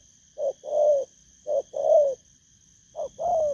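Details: Spotted dove recently taken from the wild calls three times, each a short clipped note followed by a longer, rounded, slightly wavering coo, spaced about a second apart. A steady high hum lingers in the background.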